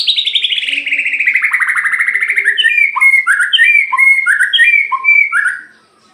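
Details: Captive white-rumped shama of the Aceh type, kept as a singing bird, in loud continuous song: a long run of rapid descending trills, then varied whistled phrases repeated roughly every half second, each ending in a low note.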